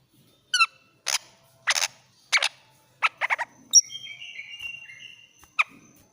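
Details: Greater green leafbird from Banyuwangi singing agitated and shrill to prompt a silent bird to sing: sharp chips and buzzy bursts repeated about every half second, then sliding whistled notes near the end.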